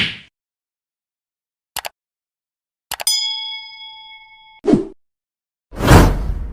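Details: Sharp clicks and knocks, then a ringing bell-like ding that fades, followed by a thud and a long whoosh, with no animal calls.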